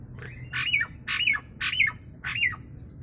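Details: Nias hill myna, a recording meant to teach and provoke other mynas: four loud, raspy squawks with a sharp descending whistled ending, evenly spaced about half a second apart over a low constant hum.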